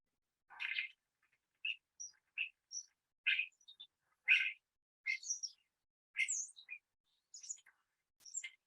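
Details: Common starling in New Zealand giving its usual call, a varied series of chattering, squeaky notes and thin high whistles, about one burst per second, each note different; starlings are good mimics.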